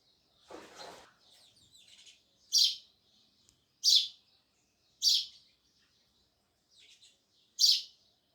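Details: Sparrows chirping: after a brief low rustle, loud, clipped high chirps repeat roughly every one to two and a half seconds, with softer notes between.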